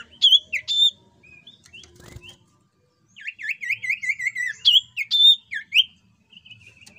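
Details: Jungle flycatcher song meant to lure other birds into singing: sharp high notes, a pause, then a fast chain of looping whistles, loud upslurred accents and a thin even trill at the end.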